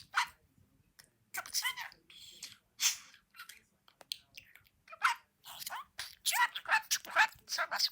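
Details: Boo, a talking budgerigar nearly two years old, chatters in quick, scratchy warbles and clipped, speech-like syllables while playing.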